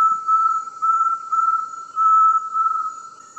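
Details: An Inhambu-serra tinamou gives a long, steady, mid-pitched whistle held on one note, swelling and fading in soft pulses, with faint background hiss.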